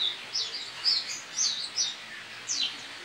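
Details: White-eye kept in a cage in Pontianak, West Kalimantan, sings for an online contest: a lively string of sharp, high, sweet chirps and short trilled slurs, several bright notes per second, with the room otherwise quiet.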